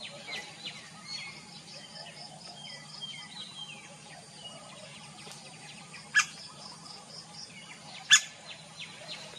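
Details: Male and female laced woodpeckers calling: two loud, sharp single call notes about two seconds apart, over steady chirping and a rapid series of high notes from other birds.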